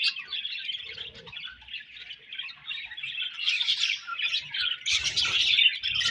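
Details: Several budgerigars warbling continuously, a busy mix of chirps, squeaks and buzzy chatter that grows louder and harsher toward the end.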